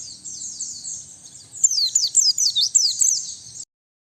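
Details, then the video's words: White-eye lure and tutor song, clean of background noise: high thin twittering that starts softly, then grows louder into quick downslurred chirps and trills before stopping abruptly. "Suara Pikat dan Master Kicau Burung Pleci"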